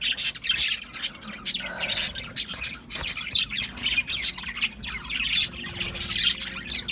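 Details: Budgerigars keep up a busy chorus of chirps, squeaks and warbled chatter, with many birds calling over one another and no silent gaps.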